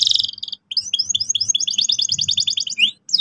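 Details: Energetic canary singing a tutor song for young canaries to learn rolling: a bright buzzy opening, then rapid repeated chirped notes building into a fast, ringing trill and ending on a descending slur, over a faint low hum.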